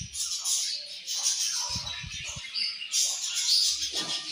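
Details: Morning feeding time in a budgerigar colony: a continuous wash of high twittering and squeaky chirps from many birds, with a short run of low tapping sounds midway.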